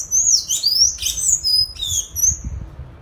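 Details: Sayaca tanager singing free in nature: high, thin, sliding whistled notes in quick succession, sharp and loud, with faint low rumble beneath.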